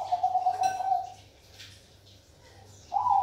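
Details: Singing zebra dove of the Bangkok perkutut type: the pulsed, bubbly tail of one cooing trill. Silence follows, then the bird opens a fresh phrase with a rising note. A faint knock is heard in between.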